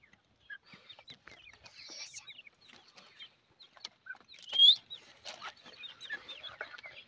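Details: Chicks of the grey francolin peeping: many soft, thin, high cheeps and short slurred whistles overlapping irregularly, with one louder rising whistle near the middle and scattered ticking sounds.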